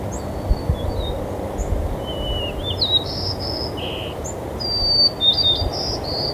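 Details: White-crowned Sparrows at Woodlawn Cemetery on 25 November 2020 give scattered thin, high whistles and short sharp chips at an uneven pace over a steady rumble of wind and distant traffic.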